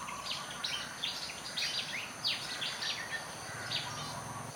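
A Malaysian Pied Fantail gives a run of high, clear, squeaky notes, some rising and some falling, in quick uneven phrases over steady background hiss.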